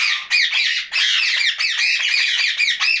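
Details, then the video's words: Pet rose-ringed parakeet at night squawking continuously: a dense, harsh, grating stream of chattering calls with barely any pause. "Night Talking parrot Mitthu Ringneck"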